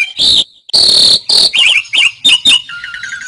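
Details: Jalak suren (Asian pied starling) gacor song recorded to tutor caged songbirds: several loud harsh buzzy bursts, then quick wavering whistled notes and a soft, rapidly pulsed trill at the end.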